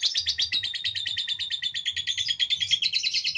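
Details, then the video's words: Long-duration lovebird ngekek played to provoke other lovebirds into singing: an unbroken, rapid, rattling chatter of shrill, buzzy notes repeated at an even pace, with faint low rumbling underneath. "Masteran love bird durasi panjang|mancing lovebird ngekek"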